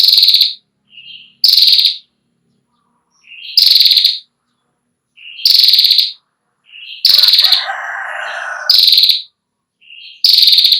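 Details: Female Ashy prinia giving its long 'ngetiir' trill, recorded as a tutor song for young prinias: short, dry, fast-pulsed bursts repeated every one to two seconds, with softer lower chirps between them and a brief rasping, buzzy sound near the end.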